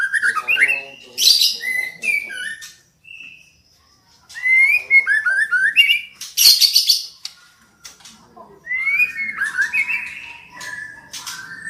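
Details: Female white-rumped shama calling so that a male will sing: lively runs of fast whistled and chattering notes in several bursts, with harsh noisy squawks between phrases.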